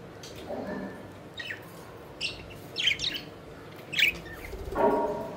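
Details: Playful pet budgies flying around, producing scattered high chirps and squeaky notes, some lower nasal sounds near the end, separated by quiet gaps over steady low background noise.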